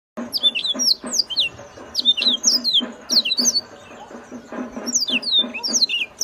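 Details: Yellow-fronted canary singing a loud, rapid song of high twittering notes and quick sweeping whistles in bursts, with brief pauses between phrases, over a steady low hum in the background.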